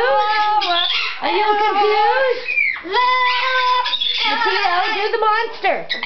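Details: Blue-fronted amazon kept as a pet sings continuously, steady voice-like tones with many harmonics, a few sliding notes and brief dips, close and loud in a small room.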